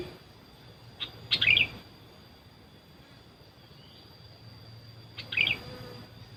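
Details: Bird-luring sooty-headed bulbul calls that wild birds ignored: two quick bubbly chirp bursts several seconds apart over a quiet hiss.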